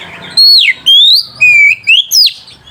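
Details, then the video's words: Oriental magpie-robin singing to stir mating urge and anger rivals: five loud, clear whistled notes in quick sequence, some sliding down, some rising, with short gaps between. "PANCINGAN SUARA KACER PEMBANGKIT BIRAHI DAN EMOSI LAWAN"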